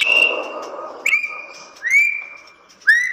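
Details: Captive-bred white-rumped shama producing long, level whistles, each opening with a quick upswept note, spaced about a second apart over a soft background hiss.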